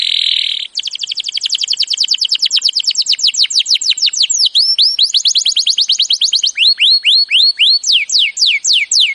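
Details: Canary master song for prompting a non-singing canary: a short buzzy note, then a long series of rapid falling and rising whistled sweeps repeated several per second.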